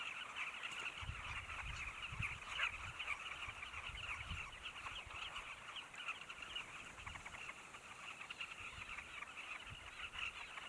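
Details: Many Carmine bee-eaters calling together at Zambezi Mubala Lodge in Namibia, a steady wash of overlapping rasping chirps with no pauses, plus some low rumbling background noise early on.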